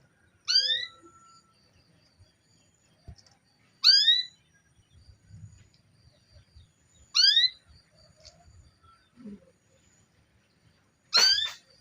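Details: Female canary calling to stimulate a male to sing: four bright, rising chirp calls spaced roughly three to four seconds apart, separated by near silence with faint low knocks.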